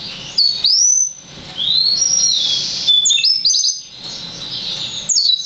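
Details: Six-month-old captive hybrid of Yellow-fronted canary and Black-throated canary, still immature, singing high, clear whistled phrases with sweeping upslurred and downslurred notes and quick twittery runs.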